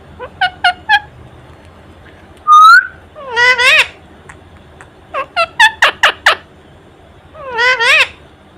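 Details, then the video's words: Pet Indian ring-necked parakeet in front of a mirror, spreading its wings and talking non-stop: short bursts of harmonic, wavering syllables, a clear rising whistle near the middle, then more rapid chattering phrases and a final warbled call. "Non-Stop Talking Parrot🦜 Talking To Everything"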